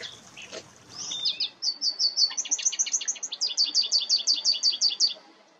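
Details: American goldfinches visiting window flower boxes in summer to eat cosmos seeds; a lively twittering song of quick high chirps, speeding into a rhythmic run of paired notes for about four seconds.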